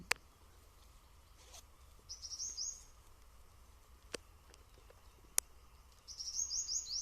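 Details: Purple Sunbird, small and high in the treetop, in a sal and pine forest on 16 May 2025, giving two quick bursts of thin, very high, rapidly repeated notes about four seconds apart, over low outdoor rumble and sharp clicks.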